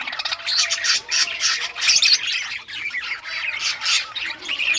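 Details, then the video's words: A group of budgerigars in rare colours chirping as they play with toys on June 18, 2023; rough squawks and bright chirps pour out in quick waves of flock chatter. "Budgies all rare colors playing and chirping sounds playing with toys"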